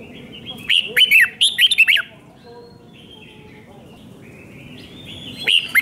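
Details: A red-whiskered bulbul in Thailand gives its five-syllable 'double' song, a training song for chicks to copy: two rapid, fluty phrases of swooping notes close together, a pause with faint hum, then another phrase begins.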